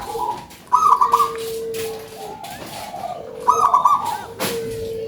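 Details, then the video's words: Local zebra dove, described as having a big voice, giving low cooing notes broken by two bursts of a higher, rapid trilled phrase, with a faint background hiss. "PERKUTUT LOKAL SUARA BESAR"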